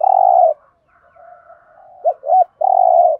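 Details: Spotted dove in the fast 'thúc gù' cooing style, the 'Thổ' voice, used as a decoy when trapping birds: low hollow coos, a long steady note, soft murmurs, two quick looping coos, then another long coo.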